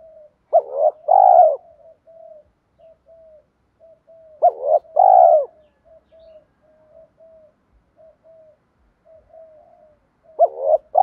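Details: Decoy spotted dove used to lure wild doves. Three cooing phrases about four seconds apart, each a hooked note then a long falling coo, with soft short murmurs in between.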